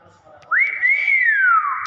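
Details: Natural whistle of a common hill myna from Borneo: one clear whistle that rises sharply, holds steady, then glides slowly downward. Faint low rumbling sits underneath.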